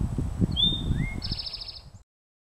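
A cowbird gives thin, rising whistled slurs, then a brief high, fluttering buzzy phrase, over steady low rustling and wind-like noise.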